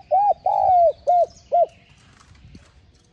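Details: Spotted dove (cu gáy) cooing to prompt newly caught birds to answer: one short coo, a long slightly falling coo, then two brief rounded coos, loud and clear over quiet low hum.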